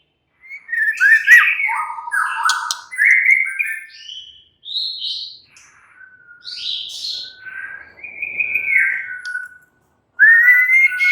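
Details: White-rumped shama singing a relaxed song to set other shamas chattering: scattered whistled phrases jumping between low and high pitches, with quiet gaps and a final rising whistle.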